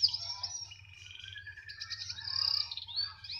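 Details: Canary said to keep singing wherever it is placed, delivering varied high warbles: a sharp opening note, thin gliding whistles, then a bright, rapid trill rising toward the close.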